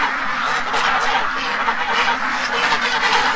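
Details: Many free-range domestic ducks in Toronto, Ontario, Canada, frightened one morning by something unseen and crowding away from part of their pen; raucous overlapping quacks and honking notes form an unbroken, noisy chorus.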